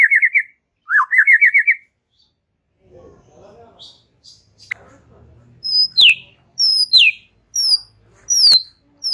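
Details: Relaxed chattering song of a white-rumped shama: an opening burst of rapid rippling trills, a quiet pause with soft rustling, then high, sharp whistles slurring downward in separate notes.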